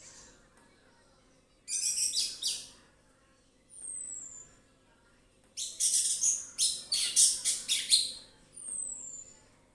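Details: Orange-headed thrush giving loud bursts of dense, scratchy, high notes in two long phrases, with thin, high descending whistles between them.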